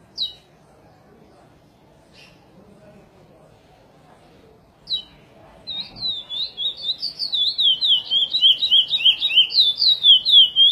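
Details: Praia song of a curió, or chestnut-bellied seed finch, edited for song training: a few short, separate whistled notes spaced seconds apart, then from about the sixth second a fast, flowing, undulating warble that grows louder.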